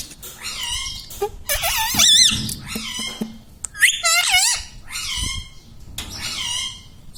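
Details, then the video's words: Pet Indian ringneck parakeet talking, taught to say words such as mummy, papa and radhe radhe: a string of harmonic, nasal, wavering syllables with rising and falling bends, delivered in uneven bursts with short pauses between. "indian ringneck parrot talking video"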